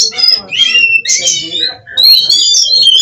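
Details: Captive Oriental magpie-robin (kacer) from a breeding aviary in Cirebon, Indonesia, singing in the frenzied 'konslet' style. Short high whistled phrases and scratchy notes are broken by a brief pause and then resume louder, with faint low murmur underneath.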